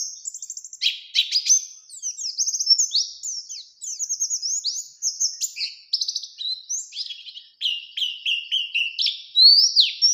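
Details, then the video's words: Oriental white-eye singing in the energetic ngalas ngerol nembak style, used as a lure to provoke a rival into answering; a rapid, continuous run of high, thin twittering phrases with buzzy trills and sharp rising and falling whistles, no other sounds. "Burung PLECI GACOR Ngalas Ngerol Nembak Mencari Lawan"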